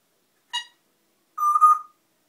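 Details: A noisy African grey parrot gives two short tonal calls against silence: a brief chirp rich in overtones, then a pause of almost a second and a longer, steady, whistle-like note with slight wavering.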